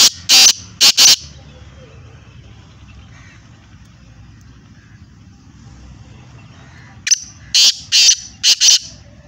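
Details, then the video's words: Black francolin (kala teetar) in Hyderabad, Sindh: three harsh, scratchy broadband notes in quick succession, a long lull with low background rumble, then another run of four rasping notes spaced about half a second apart. "kala teetar ki awaz"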